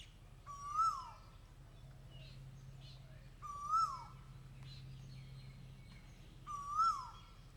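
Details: Asian koel giving three rising, ringing call notes spaced roughly three seconds apart, each ending in a quick downward slur, with faint background noise and a steady low hum.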